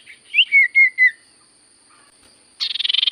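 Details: Common Iora (sirtu cipoh) singing to make silent birds answer: four clear whistled notes on a steady pitch in quick succession, a pause, then a fast pulsing buzzy trill.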